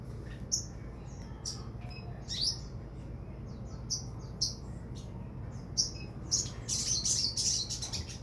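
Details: Crimson sunbird (sogon) singing: thin, very high chirps and short twittering bursts at irregular intervals, denser and louder toward the end, over a steady low hum.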